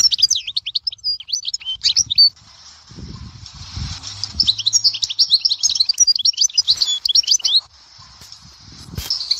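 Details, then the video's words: European goldfinch singing near Dehouara, Souk Ahras: rapid, high, tinkling twitters and trills in dense bursts, a brief pause near two seconds, then another long run of liquid chirps, with faint low rustling underneath. "تغريد حسون"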